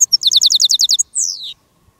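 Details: Decoy European goldfinch (jilguero) used in field trapping alongside wild goldfinches in countryside: a rapid series of about ten high, evenly spaced twittering notes over one second, followed by a drawn-out descending buzzy note, in a quiet background.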